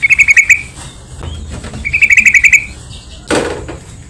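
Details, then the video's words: Yellow-vented bulbul (trucukan) song, used as a lure to make other bulbuls sing: two quick bursts of five or six bubbly, chattering notes at the same middle pitch, with a short pause between them. A brief rustle comes near the end. "PANCINGAN BURUNG TRUCUKAN , SEMUA TRUCUK PASTI IKUT BUNYI"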